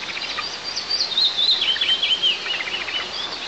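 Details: Nest camera in southeastern Tatarstan, 1 July 2024, the male eagle having delivered a live ground squirrel: a short run of high, rising and falling whistled chirps, loudest mid-clip, over faint background hiss.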